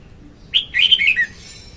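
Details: A female red-whiskered bulbul sings one quick phrase, a trapping lure: a sharp opening note followed by a run of rolling, descending warbled notes lasting under a second.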